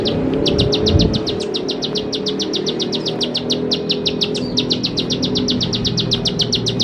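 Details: Bar-winged prinia singing as a training lure for young birds: a fast, even series of sharp high notes, almost four each second, continuing throughout against a steady low hum.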